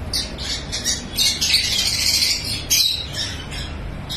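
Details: Lovebirds on a breeding farm squawk in a busy, overlapping chorus of harsh, piercing high notes, a sustained shrill stretch in the middle flanked by quick choppy chirps.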